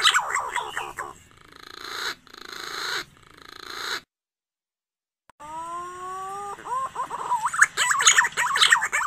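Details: Green pigeon calls used as a lure for trapping near the nest: rich, wavering whistled notes in quick runs, then a brief silence and longer steady whistles with rising, trilling phrases.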